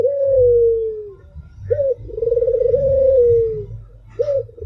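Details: White albino Barbary dove (puter) cooing: a smooth low falling tone ends one phrase, then a short abrupt note leads into a long trilled coo that levels and slides downward, with another clipped note at the end.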